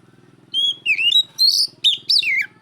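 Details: Oriental magpie-robin challenging a rival: a brief run of loud whistled notes, some held, some twisting up and down, over a steady low pulsing hum.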